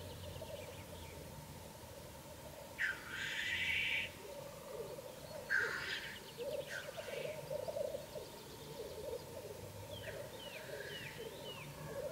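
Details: Black grouse at their lek, recorded from a hide, keep up a steady, low bubbling coo broken twice by loud, harsh hissing sneezes; a small bird chirps faintly near the end.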